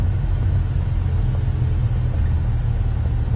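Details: Steady, deep engine rumble from a vehicle fills the recording, with no animal voices.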